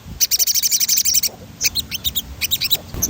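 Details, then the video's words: Sogon (crimson sunbird) giving its rolling 'ngerol' song, used as stimulation playback: fast, very high ringing trill bursts followed by looser runs of quick chirping notes, each note crisp and metallic. "Suara ransangan bunyi sogon gacor ngerol"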